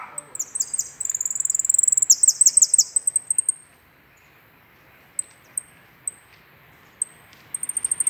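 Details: A European goldfinch sings at midday on 24 April: very high, fast liquid twitters and buzzy trills, then a pause with scattered single tinkling notes before resuming, over faint background hiss.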